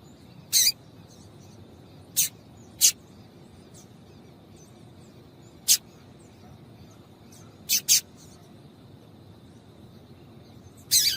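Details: Female double-collared seedeater (papa-capim) calling, used to excite males into singing: short, sharp, harsh chips scattered irregularly, single or in quick pairs, against a quiet steady background hiss.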